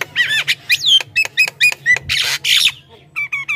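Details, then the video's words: Lively Javan myna song used to call wild mynas and set other mynas singing: slurred whistled notes mixed with harsh chattering rasps, a loud noisy burst near the middle, and a final trio of short whistles, with a low background hum. "suara burung jalak kebo gacor"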